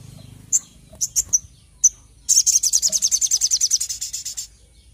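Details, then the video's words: Brown-throated sunbird singing actively, a few sharp high chips, then a loud, rapid trill of thin, very high notes lasting over two seconds. "Suara Burung Sogok Ontong Gacor"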